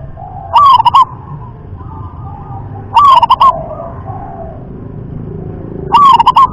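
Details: Zebra dove of the local rhythm class singing three short bubbling coo phrases at steady three-second intervals, loud and close, with low background murmur between.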